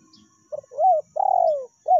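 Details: Spotted dove lure call in the meratus and melambung styles: a short note, then a rising-falling coo and a long, drawn-out, slightly buzzy descending coo, with a new note beginning at the end. A quiet background.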